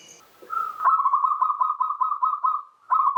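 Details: Zebra dove, local perkutut, heard in a lure song for quiet birds: a continuous, rapidly pulsing cooing trill lasting about two seconds, then a fresh burst starting at the end.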